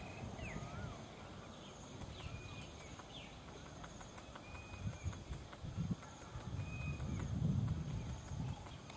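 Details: A Heart-spotted Woodpecker pecks at a tree in soft, uneven taps, with brief whistles from other birds, in Wang Nam Khiao district, Nakhon Ratchasima, Thailand.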